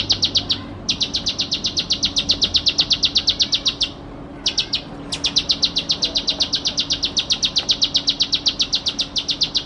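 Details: Bar-winged prinia (ciblek sawah) singing constantly in a tutor recording for training songbirds: a fast string of high, sharp chips, about four a second, broken by two short pauses, with a faint steady hum below.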